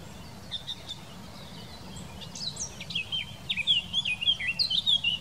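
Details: Eurasian blackcap in song, Wittlich valley, Germany, 2018: a quiet, scratchy twittering start that swells into a loud run of clear, flute-like whistles with rapid upward and downward slurs, over faint low-pitched background noise.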